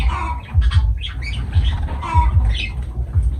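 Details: Lovebirds kept as pets call with raspy squawks and brief chattering notes, irregularly spaced, over a constant deep background rumble.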